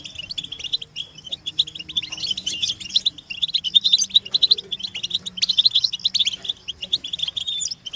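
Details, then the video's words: European goldfinches in a group chorus of mating and readiness calls used to stimulate captive males to sing: dense, tinkling, high twittering with rapid liquid notes and buzzy trills running continuously. "بتبتة الحسون تحفيز الحسون على التغريد والهيجان علاج صمت الحسون goldfinch stimulation"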